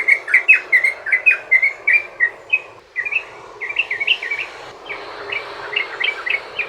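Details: Yellow-vented bulbul pouring out a rapid 'ropel panjang' song meant to provoke rival bulbuls into singing: loud chattering notes repeated quickly, a brief gap near three seconds, then a softer continuing run of chirps.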